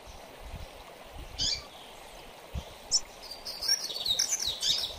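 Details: Mateiro song style of a double-collared seedeater, used to stir and train coleiros: two or three separate high notes, then a lively run of sharp, quickly alternating whistles.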